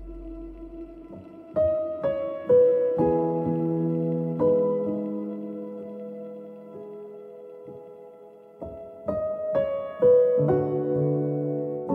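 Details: Soft piano music with sustained chords and slow melodic notes, and no animal sounds.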